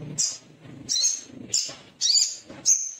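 Little spiderhunter giving five sharp, very high chipping notes, one about every half-second, with a faint low rumble between them.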